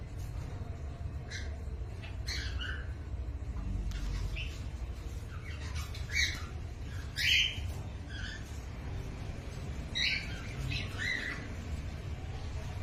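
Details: Cockatiel giving scattered short squawks and chirps, spaced irregularly every second or two, over a steady low rumbling background noise.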